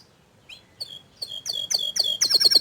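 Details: Canary song played as gacor master singing to prompt a young, untrained canary. Starts quietly with a few thin whistled notes, then builds into loud, rapid repeated chips and sweeping notes that speed up toward the end.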